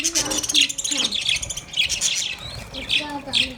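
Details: Happy pet budgerigars in a cage give quick, warbling, high chirps and squeaky twitters in a short lively burst.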